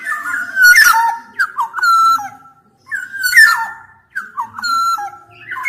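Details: Black-naped oriole singing in quick succession: flute-like whistles that slide and step down, interrupted by raspy, buzzing squawks, about four phrases in under six seconds.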